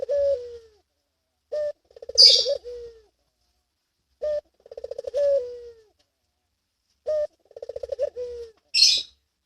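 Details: Barbary dove in breeding mood, meant to stimulate local and pelung doves to coo: three repeated coos of brief note, bubbling pulsed roll and lengthy descending tail, separated by pauses, with short bursts of high rustling sound.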